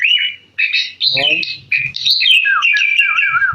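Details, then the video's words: Lively sooty-headed bulbul song: bubbly, warbling phrases of mid-high notes tumbling up and down, with a short low voice-like burst in the middle. "burung kutilang gacor"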